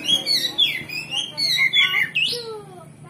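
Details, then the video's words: Kacer (oriental magpie-robin) ngeplong provoking song: a continuous chain of bright whistles wavering downward, ending in a sharp upward sweep and a soft trailing note, over a low hum. "Pancingan Kacer Gacor Ngeplong Bongkar Isian"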